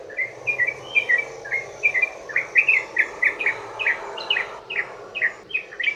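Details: Yellow-vented bulbul in a long 'ropel' song meant to lure other bulbuls to respond: a string of rich chirped notes that grows louder and more emphatic through the six seconds.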